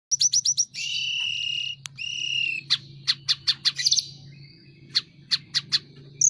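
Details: Sunda robin singing energetically while spreading its wings: rapid high thin notes, then long steady whistled tones, followed by a string of sharp separate chips spaced about every third of a second, over a faint low hum.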